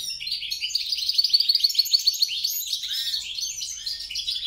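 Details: Short burst of song from a European × grey-crowned goldfinch hybrid mule: a quick run of pulsed, tinkling notes about three per second, fading into softer twitters.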